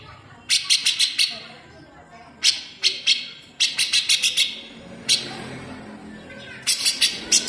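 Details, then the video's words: Caged grey-cheeked bulbul (cucak jenggot) giving coarse, sharp 'besetan' bursts at full speed, a model song for leafbirds to copy: four clusters of rapid high rasping notes separated by short pauses. "CUCAK JENGGOT GACOR BESETAN RAPAT"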